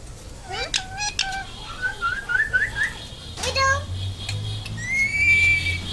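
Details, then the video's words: Talking rose-ringed parakeet mimicking human speech: a run of varied whistled notes, quick rising and falling chirps and short squawks, ending in a long, steady, slightly wavering whistle, over a low background hum. "মানুষের মত কথা বলা টিয়া পাখি Parrot talk everything"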